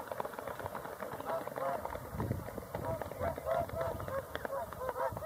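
A flock of whooper swans calls in an overlapping chorus of honking, trumpet-like notes, several birds at once, over a low rumble.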